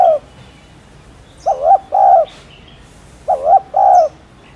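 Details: Spotted dove cooing: two phrases, each a short wavering low note followed by a longer steady coo, spaced about two seconds apart, with faint small-bird chirps in the background.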